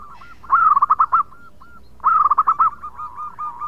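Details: Perkutut lokal, the zebra dove, giving gacor song: two loud bursts of fast fluttering coos about one and a half seconds apart, each trailing into softer spaced rolling notes.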